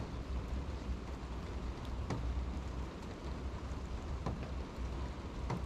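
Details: Low rumbling background with scattered sharp taps like raindrops, and no animal calls.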